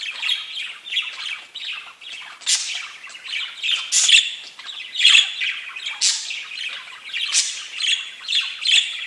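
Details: Pet budgerigars keep up a lively, rhythmic chattering warble, with harsh squawky notes and sharp chirps pulsing roughly once a second throughout.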